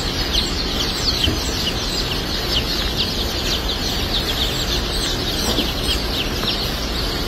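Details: Flock of White Yokohama and Fayoumi chickens at a hatchery in the US, many birds at once giving rapid, thin chirping notes and occasional clucks in a continuous chorus, with constant low background hum.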